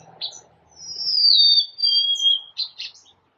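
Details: Golden-crowned sparrow with a long, sweet whistled song stepping downward through several held notes, bracketed by short bright chips before and after.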